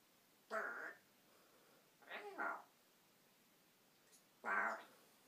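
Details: Pet African grey parrot vocalizing in a room: three short, hoarse, speech-like bursts, each under half a second, separated by pauses, one a quick double syllable. No other sounds are heard.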